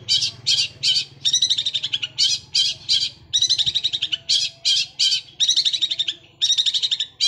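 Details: Sewing-machine-like rolling gereja Kunti song from a Long-tailed shrike: clustered bursts of rapid, scratchy high notes in groups of two to eight, with scarcely a gap between clusters.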